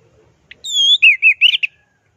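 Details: Orange-headed thrush (anis merah) singing in the clear, rolling 'teler' style used as a masteran tutor recording: a faint chirp, then one long pure whistle sliding gently down, followed by four or five quick warbled, slurred notes.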